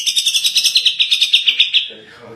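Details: Gacor tembakan song of the cucak jenggot, or grey-cheeked bulbul: a steady run of about sixteen quick, even, high chirps that ends abruptly, leaving faint low noise.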